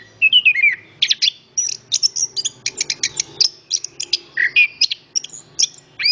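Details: {'caption': 'Orange-headed thrush giving a busy, varied song: rapid staccato bursts, sweet falling whistles and repeated chip-like notes. The phrasing is quick, over a faint low rumble.'}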